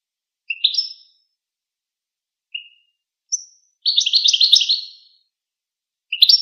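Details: Goldfinch producing a few separate high chirps and short notes, then a burst of rapid, bright chattering lasting over a second; no other animals or noise.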